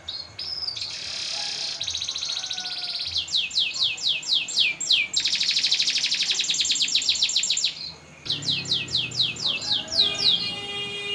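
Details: Canary song used as tutor audio for contests: a high buzzy roll gives way to rapid repeated trill notes, then a brief gap and more quick trills.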